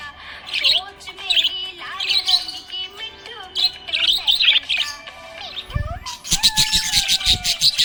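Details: Budgerigar chirping happily: clusters of rapid, squeaky, high chatter interrupted by short gaps, with music playing beneath and a burst of noisy rustling near the end.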